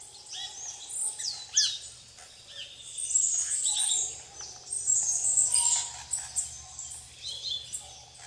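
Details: Plain parakeets feeding on bananas with tanagers and other birds at RPPN Santuário Rã-bugio, Guaramirim, Santa Catarina, Brazil; dense, shrill high chattering in overlapping bursts, with curved rapid notes and a softer lower note in between.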